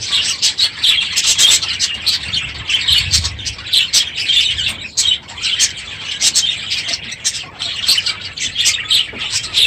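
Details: Aviary budgerigars in large numbers at the end of the breeding season, calling noisily in the morning; busy overlapping twitters, warbles and sharp chirps, with faint wing flutters beneath.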